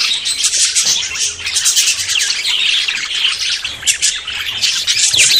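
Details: Several budgerigars in courtship before breeding give a constant stream of chattering warbles, quick chirps and harsh squawks, rising and falling in loudness without pause.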